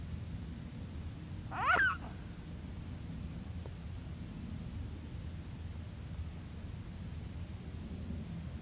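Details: A mute swan gives one brief, nasal, slightly wavering, almost cat-like call, over a steady low rumble of wind or a passing car.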